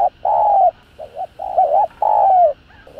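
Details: Spotted dove's 'thúc gù' coo, a fast provoking style meant to excite other doves into calling: long, even, low hoots broken by short paired notes, three long coos within about three seconds.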